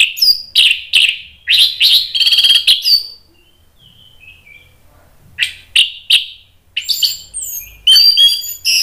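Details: Orange-headed thrush, agitated and singing in a rapid, loud style, used as a lure to provoke other birds into singing: dense bursts of sharp, varied whistled phrases, a quiet gap with faint distant notes, then more rapid loud phrases.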